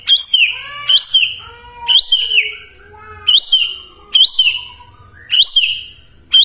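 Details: Shama singing in the morning as a lure for silent shamas to answer: a high, bright phrase with descending slurs repeated about once a second, each followed by lower trailing notes.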